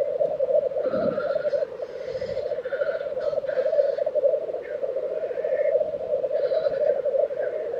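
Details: Black grouse at a lek in Tiveden, Sweden, in April 2023: a continuous, dense, pulsing low bubbling chorus from several males, interrupted by short harsh hissing bursts near the start and end.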